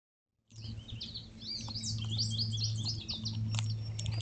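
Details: Birdsong, soothing and peaceful, recorded while squirrels and an occasional bird eat fallen seeds outdoors: dense, overlapping high chirps and twittering notes. A steady low hum runs underneath throughout.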